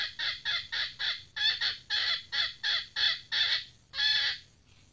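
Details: Female red junglefowl, a newly trained decoy bird, calls in a rapid series of about eleven harsh, bright cackling bursts, evenly spaced and slightly lengthening toward the end.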